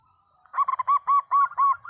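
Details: Local zebra dove singing loudly: a short low lead-in followed by five rapid, rounded cooing notes in a quick repeated series, with a steady faint high tone in the background.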